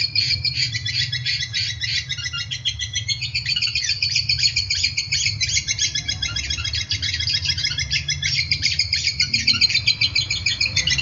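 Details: Long-tailed shrike in full song, in a recording for training caged birds: an unbroken, rapid stream of scratchy, squawking and chirping notes, about three to four a second, over a steady low hum.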